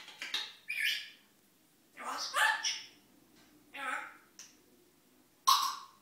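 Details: African grey parrot, male, talking to himself in the morning: babbling speech-like phrases in four bursts, ending with a loud squeaky whistle.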